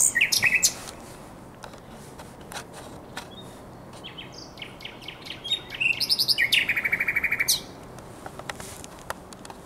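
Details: Common nightingale singing at the Żerań Canal on the night of 23–24 April 2022: loud bursts of rapid repeated chirps and a long fast trill of identical notes, separated by quieter pauses and faint clicks.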